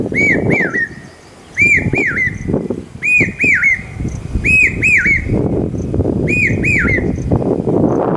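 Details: Common hawk-cuckoo calling loudly during the monsoon near Aurangabad, said to signal rain: clear whistled notes in pairs and triplets, each rising then falling, with a new phrase roughly every one to one and a half seconds, over low traffic rumble.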